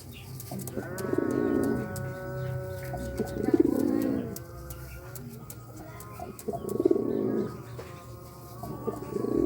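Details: Pigeon cooing while courting: deep throaty coos repeated about every three seconds, over a steady thin tonal hum and a few faint chirps from other birds.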